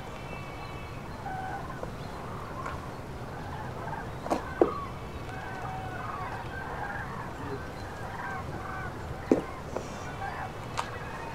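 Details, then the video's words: Flocks of common cranes on prenuptial migration over central France, March 2016 afternoon, groups broken up by storms; many trumpeting calls chorus together, with sharp clicks and knocks heard now and then. "GRUE Cendrée/Migration Prénuptiale/2016"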